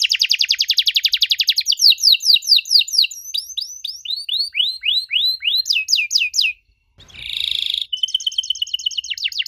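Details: Canary song as a lure for young canaries: a dense fast trill opening, then sweeping slurred whistles and rising notes, a silent gap, a buzzy rattle and a thin steady whistled phrase.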